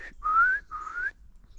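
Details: Eurasian nuthatch giving loud calls on a foggy late-February winter morning (27.02.2024) in forest: two loud, clear whistles in quick succession, each sliding upward in pitch, with faint background hiss.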